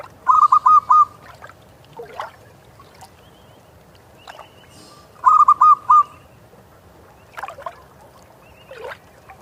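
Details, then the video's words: Seaside local wild zebra dove repeating a short phrase of four rapid, rolling coo notes twice, about five seconds apart, with scattered clicks and knocks between phrases. "suara perkutut lokal alam"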